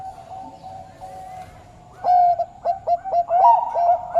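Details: Bangkok turtledove song: a soft sustained coo, then a louder burst of quick stuttering coo notes with a rising inflected note near the end, all at one mellow mid pitch.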